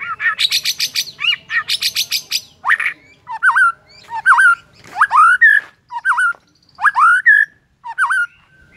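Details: A white-rumped shama sings in the morning to rile rival shamas, opening with rapid harsh buzzy rattles, then spaced loud whistled notes that swoop upward, each phrase separated by short pauses.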